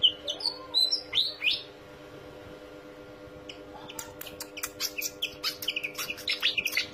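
Pied Fantail giving a few high, squeaky whistled notes, then a pause and a run of sharp, rapid chips, over a steady low hum.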